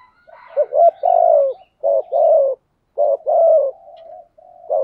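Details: Cooing of a spotted dove used to lure rival wild doves: repeated husky two-note phrases with falling tails and soft hummed coos between, with faint high chirps from other birds.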